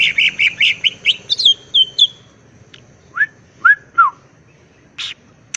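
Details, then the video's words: Green leafbird with raised crest in 'gacor ngentrok' song: quick, bright repeated whistles that end in a thin descending note, followed by three spaced, slurred lower whistles and a single harsh chip. "Burung Cucak Ijo Gacor Ngentrok Jambul Nembak"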